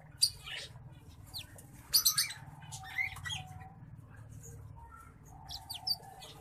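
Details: Green singing finch x black-throated canary hybrid uttering scattered loud chirps and short trilled bursts between quieter gaps, with flat whistled notes and a steady low hum in the background.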